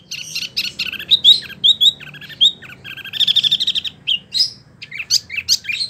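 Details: A captive prinia sings a fast, continuous rolling stream of high, sharp chirps and trills, bursts following each other several times a second with barely a pause.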